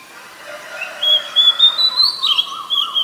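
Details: Oriental magpie-robin at Ubon Ratchathani, Thailand, 7 January 2021, a very common resident: clear sustained whistles held at one pitch, then stepping up and back down, over a wavering lower warble.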